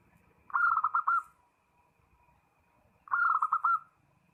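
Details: Zebra dove calling a rival: two matching bursts of quick, stuttering coo notes about two and a half seconds apart, with a faint low rumble underneath.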